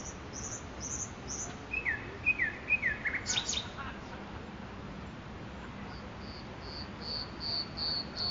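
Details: Makoui park nightingale: quick high chips open the phrase, then a series of loud swooping slurred whistles, a sharp high burst, a pause, and finally a steady run of high repeated notes.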